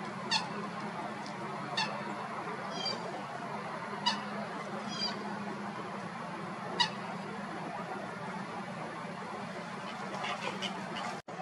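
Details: Common Gallinule in Florida gives short, harsh, clucking notes, about six spaced irregularly over ten seconds, against a steady hiss and a low hum.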